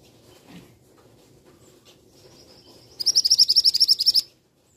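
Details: A male scarlet minivet calls shrilly, a soft high whistle leading into a quick burst of around thirteen sharp, ringing notes over a little more than a second; background otherwise quiet.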